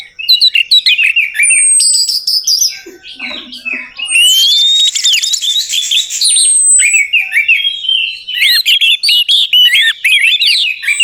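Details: Orange-headed thrush singing, a lure meant to set a bird that has stopped singing calling back. A dense, varied flow of loud whistled phrases, short chirps and twisting notes runs almost without pause, with a long sweeping whistle midway.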